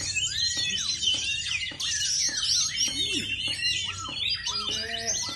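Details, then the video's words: Kacer, the oriental magpie-robin, singing dense high warbling phrases mixed with slurred downward whistles and sharp chirps, a rapid varied stream over low background hum. "Kacer NGEPET"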